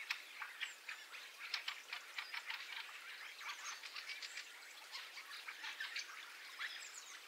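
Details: Winter invasion flock of fieldfares calling, recorded in stereo XY: a dense, continuous chatter of overlapping harsh, clipped chack notes, with a starling roost audible behind.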